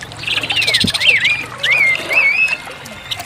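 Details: An orange-headed thrush delivers a few loud, wavering whistled notes, looping up and down, with a soft rustle and low hum in the background.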